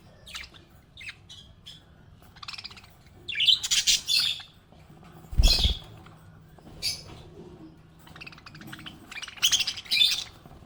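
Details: A contented budgie chirps in scattered bursts: thin high tweets, then grating chattery phrases. A sharp knock sounds midway. The chirps resume in clusters toward the end over a low room hum.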